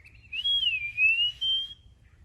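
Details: An Eastern Wood-Pewee, a flycatcher heard in woods during spring migration in 2021, gives one clear, slurred 'pee-a-wee' whistle lasting over a second. It rises, dips, then lifts again, with a faint low rumble underneath.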